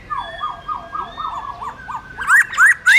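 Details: A black-throated laughingthrush (Pterorhinus chinensis) sings a wild-style song: a quick run of wavering mid-pitched notes, then three loud, rising, ringing whistles, with a thin steady high tone behind.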